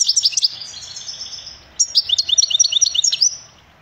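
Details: European goldfinch song: a burst of fast high twittering fades, then after a brief gap resumes as a lively run of sweet, liquid chirps and trills before trailing off.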